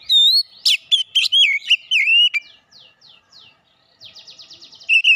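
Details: Oriental magpie-robin lure song, meant to fire up other birds and make them reveal their full repertoire: loud, varied whistled phrases with sliding notes, then a fast run of repeated short descending chirps and a final whistle.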